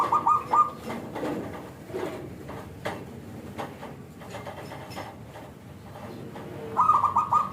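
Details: A local zebra dove's rich, crisp coo, played as a lure to get other zebra doves to respond: one short trilled phrase opens, a long stretch of faint rustling and room noise follows, then another rolling phrase closes.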